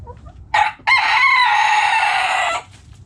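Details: Backyard rooster crowing: a short sharp first note, a brief gap, then a loud, harsh, steady crow lasting about one and a half seconds, with low background rumble.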